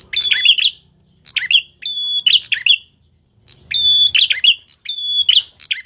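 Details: Tilek singing keenly with a piercing voice: phrases of a held whistle followed by rapid, rasping twitter, the first and last phrases merging into a longer burst, with faint low background noise.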